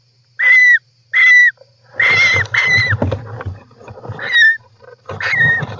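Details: European roller calls recorded by an inside camera in a nest on July 18, 2024: loud hoarse calls with a falling whistled tone, repeated in bursts about once a second, with low rustling and shuffling between them.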